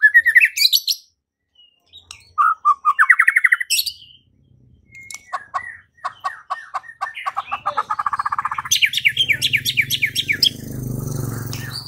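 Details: White-rumped shama song used to provoke singing and fighting: varied whistled phrases, rapid repeated notes and trills, loud bursts with a low hum late on.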